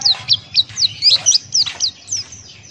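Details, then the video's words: Buxtoni white-eye singing with its beak wide open, in a forest style: a quick series of high, thin, sharply swooping whistled notes, about ten in under three seconds, clear and dominant over a low background hum. "Masteran Pleci Buxtoni Ngalas Buka Paruh"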